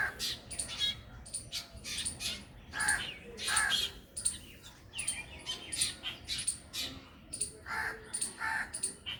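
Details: Black Drongo giving a rapid series of scratchy, chattering notes mixed with brief high metallic whistles, calls tumbling together with short gaps, a squirrel also present in the recording.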